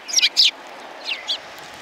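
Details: Sparrows on a bench at a shrine, January 21, 2020: two loud, harsh chirps, then two softer descending chirps, over steady background hiss.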